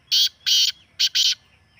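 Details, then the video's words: Black francolin calling, a sound used by keepers to prompt a kept bird to call: four loud, harsh, buzzy bursts in quick succession. The first two are longer, and the last two sit close together over a quiet background. "کالے تیتر کو بلوانے والی مست آوازیں|1 بار سنیں،تیتر بولنے پر مجبور ہو جائے|Black Teetar Calling Soun"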